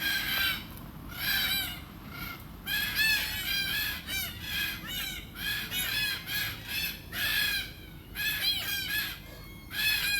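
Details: Australian red-tailed black cockatoo feeding on Beach Almond seeds gives a long series of grating, rolling calls, one after another in uneven bursts roughly every second. Each call is harmonically rich and slightly arched in pitch. Steady low background hum throughout.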